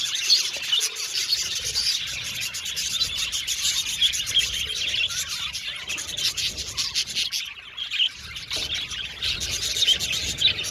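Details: Many budgerigars in a colony aviary, chirping contentedly in a constant high-pitched babble of quick tweets and warbles, briefly thinning near the end before the chatter resumes.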